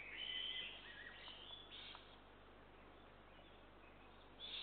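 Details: Eurasian eagle-owl chicks being fed on June 2, 2023, giving harsh, hissing begging rasps in three short bursts, separated by quieter stretches with a steady background hiss.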